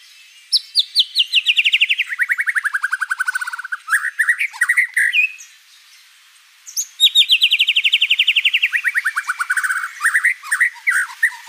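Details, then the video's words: White-rumped shama singing a full, varied song with many fill notes: a long series of rapid strokes sliding down in pitch, then a pause and a second descending run ending in mixed chirps. "MURAI BATU GACOR ISIAN BANYAK"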